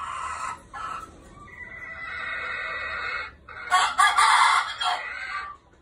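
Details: Red junglefowl (Gallus gallus) lure rooster crows: a harsh, rooster-like call of broken opening notes, then a long drawn-out phrase and a louder, raspy ending burst.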